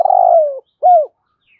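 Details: Spotted dove decoy in the morning luring wild doves, 'thổ sấm' style: one long trembling low coo easing downward, then after a short gap a clear arched note that drops away.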